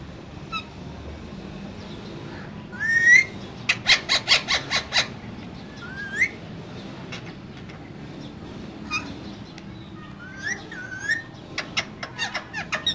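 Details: Two caged green parrots calling: a burst of harsh rapid squawks in a quick series, with scattered rising whistles and sharp clicks between them, and a background hum throughout.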